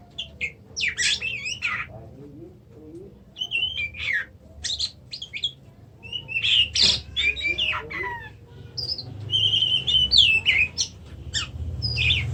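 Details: Oriental magpie-robin in a long, varied song of whistles, rasping buzzes and fast chirps, delivered in bursts with short pauses, over a faint low rumble.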